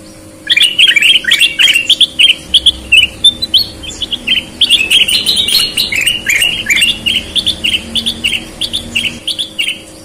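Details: Energetic song of a sooty-headed bulbul, red-eyed or white-eyed: a continuous stream of loud whistled chirps, several per second, bubbling and varied, over a faint steady hum.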